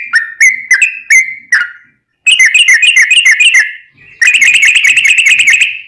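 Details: Sooty-headed bulbul fighting-style song for training caged birds: several separate whistled notes, then two long ropel runs of rapid buzzy pulses, each over a second long, separated by a short silence.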